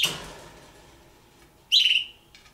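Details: Indoors with two young captive red-billed hornbills: the fading end of one call, a quiet pause, then a loud, grating, buzzy call lasting about half a second, followed by a faint click.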